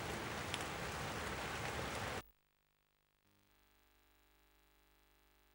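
Steady rain hisses for about two seconds, then cuts to near silence with only a faint low hum.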